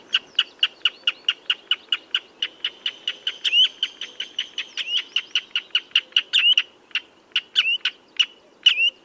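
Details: Common redshank, a string of quick piping notes that speeds up and crowds together in the middle. A thin, higher sustained whistle overlaps briefly, and the run breaks into spaced single notes and slurred whistles at the end.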